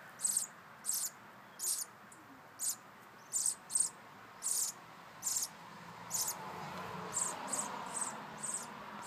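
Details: A pair of sparrow chicks begging in their nest for food from their returning mother. High, sharp chirp bursts repeat at an uneven pace, about fourteen, and grow softer toward the end against a steady hiss.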